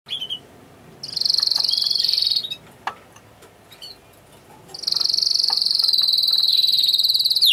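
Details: Yellow Spanish Timbrado canary, called a tenor, from Rhodes, Greece, singing two long high rolling trills separated by a pause filled with faint clicks and scattered short notes.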